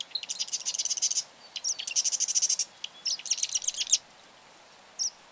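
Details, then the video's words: Marsh wren delivering three rapid, buzzy, stuttering trills in quick succession, with clicks between them and a single short note after a pause. The background is quiet. "Marsh Wren - Song & Call"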